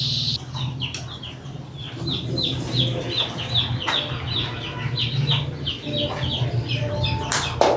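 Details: Broiler chicks give clear, separate, falling peeps repeated rapidly, several per second, over a low steady hum, with a few sharp clicks and knocks.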